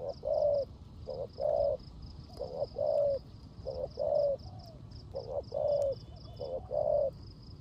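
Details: Decoy spotted dove cooing in the 'rước gù' style during rain, with repeated low pairs of a brief note then a longer hollow coo, set against constant faint high ticking.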